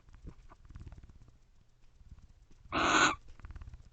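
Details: Barn owls in a nest box after midnight, one joining its mate on guard; soft scratching and movement, then one loud harsh hissing screech lasting under half a second.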